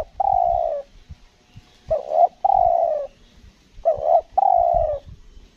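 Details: Spotted dove in a Lombok decoy-trapping session, its cooing described as stuttering: long mellow coos alternate with short paired double notes, a pattern repeated about every two seconds, over faint low thumps.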